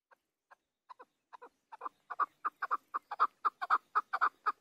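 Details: A chukar partridge gives harsh clucking chuck notes that begin slow and soft, then speed up and grow louder into a rapid, insistent series.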